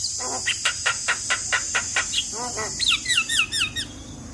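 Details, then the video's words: Full-isian song of a Javan myna, meant to stir a silent myna to sing: evenly repeated short notes about every quarter second, then curling chirps and rising whistles over a constant high hiss. "Jalak Kebo Full Isian Bikin Jalak Bisu Buka Suara"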